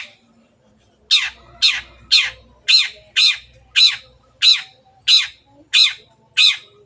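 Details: Long-tailed shrike in vigorous song, a lure to encourage birds to sing: a steady series of ten short, harsh, downward-slurred chacks, about one every half second, with faint low rumbling early on.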